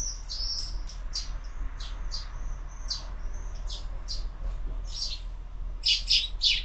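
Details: At a feeder mounted on a window, morning sparrows give spaced, fairly quiet chirps about three a second, ending in a louder cluster of sharp notes, over a low rumble.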